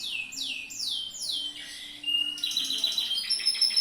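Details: Yellow Atlantic canary used as a tutor bird, singing bright descending whistled slurs in a quick sequence, followed by a short pure tone and a sharp chattering trill.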